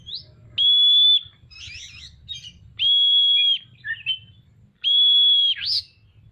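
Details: Magpie-robin in full song with its tail spread: three steady, clear, flat whistles spaced roughly two seconds apart, with short warbled and chattering notes between them and a soft low background rumble.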